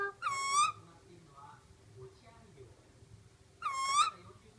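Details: Black kite calling twice, about three seconds apart: clear, strong whistles with rich overtones and a wavering finish. A soft murmur and low room hum sit between the calls.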